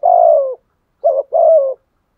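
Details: Spotted dove kept as a decoy, cooing in the thúc gù style to draw wild doves: a long falling coo, a pause, then a brief note running straight into another long descending coo.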